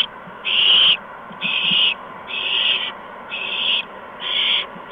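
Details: Owls with three owlets being fed mice and a gopher, evening of 13 March 2015, about 8 PM: a run of five harsh hisses, each near half a second, spaced about once a second, with a soft steady hum underneath.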